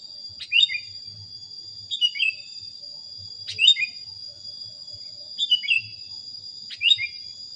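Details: Sooty-headed bulbul training recording: brief phrases of sharp, descending chirped notes come about every one and a half seconds, five phrases in all, set against a continuous thin, high electronic-sounding whine.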